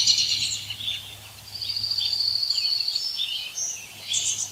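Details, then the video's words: Birds singing in woods: high thin trills and a long fast rattling trill near the middle, with scattered chirps overlapping and a low steady hum beneath. "Birds sing in woods"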